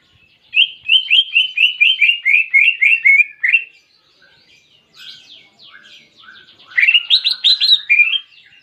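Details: Greater green leafbird with clear canary imitation: a long even series of about thirteen rapid whistled notes, quieter scattered chips, then a loud burst of fast, high rising notes.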